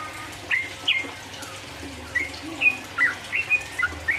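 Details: Yellow-vented bulbul song meant to stir up rival birds: sparse short bright whistled notes, singly or in quick pairs, spaced irregularly over a steady hissing background.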